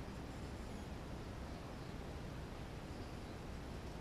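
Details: Only a steady, low, rumbling hiss is heard, like wind or distant engines, with no animal calls.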